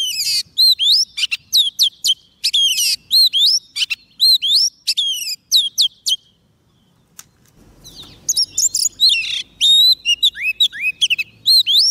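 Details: Oriental magpie-robin singing to attract wild birds: long sequences of loud repeated whistled phrases with rising hooks, a pause of about two seconds, then a second energetic bout of varied whistles and buzzes.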